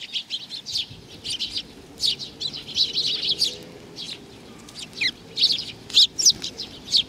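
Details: On 7 June 2020 at Tenmangu, Nakanoshima, sparrows coming to be fed chirp in a continuous busy chorus of high tweets, growing sharper and louder toward the end.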